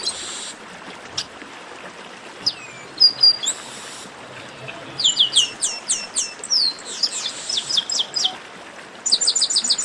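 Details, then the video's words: Chestnut-capped blackbird warm-up singing (esquenta): scattered high chips and slurred whistles build into fast repeated sweeping notes, with a buzzy note at the start and a final rapid rattling run of bright notes. "Melhor Esquenta de Garibaldi"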